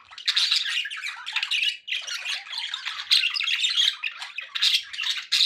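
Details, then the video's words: Pet budgerigars chattering indoors, a dense stream of buzzy, scratchy squawks and warbles packed into continuous bursts with a short break near two seconds. "1 hour of budgie sounds"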